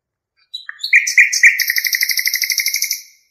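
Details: Nightingale song, Hasaniya in local usage: a few high introductory notes, then a quick, rhythmic trill of about twenty pulses that slowly weakens. No background noise.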